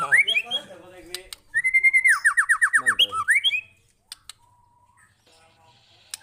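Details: Long, loud song of a White-rumped shama, played to lure other shamas into singing; rapid whistled phrases, then a fast run of about ten sliding notes near one pitch, ending in rising whistles and a few clicks.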